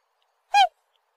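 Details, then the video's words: Black swan giving a single short, harmonic-rich honking note that dips slightly in pitch, in otherwise silent surroundings. "Голоса птиц: чёрный лебедь"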